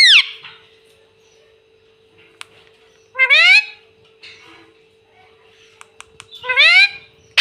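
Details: Pet parrot that says "mummy" and "papa" utters two loud, rising, harmonic squawk-like calls a few seconds apart. Brief clicks and a soft continuous hum sit in the background.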